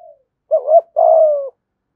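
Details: Decoy song of a spotted dove, 'thổ' voice and 'gù thúc' cooing to lure wild birds: one clear phrase of a short wavering double coo and a long even coo that slowly drops in pitch.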